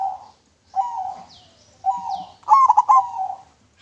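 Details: Local zebra dove singing clearly, recorded for use as a lure: two smooth coos, then a quick staccato burst of bubbling notes that trails into a drawn-out coo.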